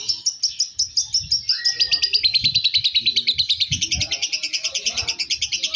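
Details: Balibu lovebird, fighter class, performing at a singing contest: a loud, steady rapid trill of sharp high pulses, about three per second, with a brief whistled slide near the start and faint crowd noise below.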